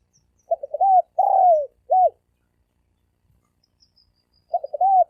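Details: Spotted dove giving fast thổ ồm vang style cooing: a short stuttered run of low notes, then a long falling coo and a brief arched note. After a pause the phrase begins again. The background is quiet.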